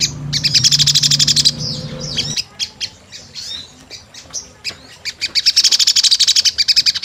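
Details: Sunbird calling as a 'gacor' lure sound: a fast, high pulsed trill, a scatter of thin sharp chirps and sweeps, then another long rapid trill; a low hum sounds briefly at the start.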